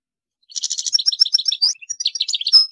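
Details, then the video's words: A sharp, rapid series of high, tinkling goldfinch notes, varied and bubbling, with a thin clear whistle near the end. "اروع تغريد الحسون - Meilleur Chant Chardonneret"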